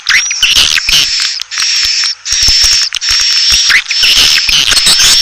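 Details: Lure call of Asian swiftlets, used to draw the birds in: bursts of shrill, buzzy twittering and high chirps, separated by brief quiet gaps about every second.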